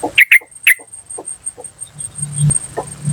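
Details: Three quick, loud 'cuk' notes from a wild yellow-vented bulbul open the recording, followed by soft low knocks and a humming background.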